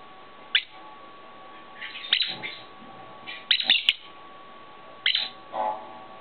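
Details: Pet lovebirds, a grey one with clipped wings that still tries to fly; scattered shrill chirps about every one and a half seconds, with a softer, lower chattering note near the end.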